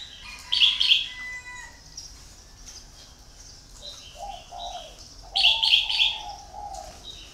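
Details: Decoy red-whiskered bulbul used for luring sings short, loud whistled bursts of tumbling notes about five seconds apart; low, mellow dove cooing rolls in the background between phrases.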